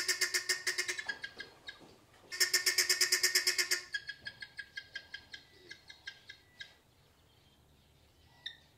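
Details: Guineafowl in Mashatu Game Reserve, Botswana, giving a harsh, rapid rattling alarm call in loud repeated bursts; these noisy birds alarm-call often, even with nothing to be alarmed about.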